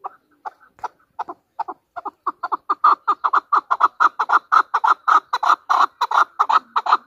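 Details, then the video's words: A chukar partridge used as a hunter bird in Pakistan: sparse clucks accelerate and grow louder into a steady, rapid stream of rhythmic chuck notes. "chakor ki awaz | Hunter chukar voices | Hunter Chukar sound"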